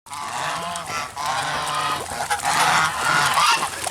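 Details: Geese kept alongside black swans, honking loudly in overlapping nasal bursts, with several birds calling at once and a steady background din.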